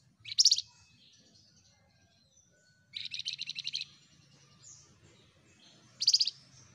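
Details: Flamboyan bird singing gacor: three short, bright bursts of rapid high buzzy trilled notes, each under a second long, separated by pauses of about two seconds, against a quiet background with a faint low hum.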